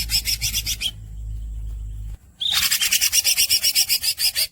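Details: Rolling song of a greater green leafbird, masteran style: a brief rasping pulsed trill, a pause with steady low hum, then a long harsh roll beating about four times a second.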